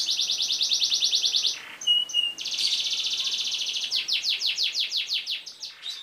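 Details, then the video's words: Canary song with long rolling trills, used as a master recording to train other birds to sing: fast, even trill trains of rapid notes, a brief pure whistle in the middle, then faster repeated sweeping notes. "MASTERAN KENARI NGEROL PANJANG COCOK UNTUK SEGALA JENIS BURUNG"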